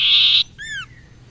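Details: Common Iora (sirpu/sirtu), a bird whose song is said to rouse other birds into excited singing: a loud buzzy hissing note, then a clear whistled note arching up and sliding down. Quiet background.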